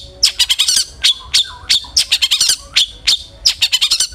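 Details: Long-tailed shrike (cendet) sounds used as a lure to provoke another shrike into aggressive singing: harsh, buzzy high notes in quick bursts, with rapid chattering runs and a few short lower whistles between.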